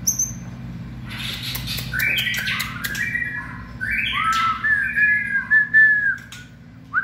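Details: White-rumped shama in full fiery form, 2020 season, delivering a varied phrase: scratchy bursts, then sliding whistled notes and a drawn-out level whistle, ending with a short rising note.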